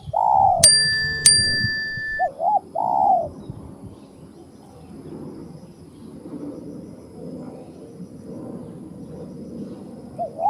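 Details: Spotted dove calling in a bird-trapping setting: a few hoarse, wavering coos in the first three seconds, with a sharp metallic click early on, followed by low rumbling background noise.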